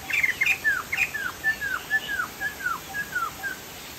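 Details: Chinese hwamei from Sumatra singing loudly: a rapid run of clear whistled notes, each arching up then dropping, repeated about four per second in a rich melodic phrase.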